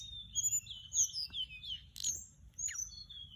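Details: Softer, slightly hissy recording of a Mugimaki Flycatcher lure sound: overlapping high whistled slurs with one sharp click and a falling note near the end.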